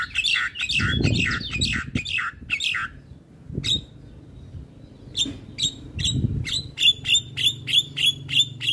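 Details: Dense chattering phrases from a male Javan myna give way, after a near-silent gap, to a regular series of sharp clipped notes repeated about three times a second; the bird is very vocal and bobbing its head.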